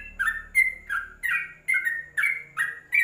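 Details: A caged yellow-vented bulbul, kept as a song tutor for other birds, gives a run of bubbly, liquid two-part notes, about three per second, each dipping then lifting, over a faint low hum at the start.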